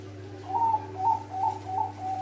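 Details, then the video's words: Zebra dove of the Bangkok type singing sweetly: five clear, slightly trilled coos, level in pitch, spaced about every half second, over a steady low hum. "Suara merdu perkutut bangkok"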